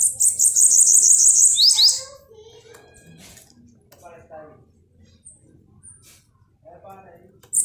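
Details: Bananaquit kept as a pet, singing from its keeper's lap. A fast, sibilant, buzzy trill of about two seconds closes with sharp descending squeaks, then faint low rustles and muffled sounds indoors, with a brief high note starting at the end.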